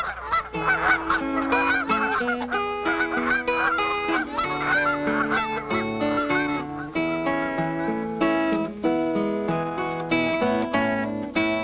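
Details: A flock of Canada geese of the Todd's (interior) race, which winters in Missouri, gives dense, overlapping nasal honks in a steady clamour, possibly with music running beneath.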